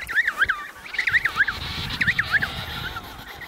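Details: Emperor penguin chicks at the Snow Hill colony, Antarctica, in November 2018, giving three bursts of shrill, warbling whistles, each a quick run of three or four rising-and-falling notes, over a soft wind hiss.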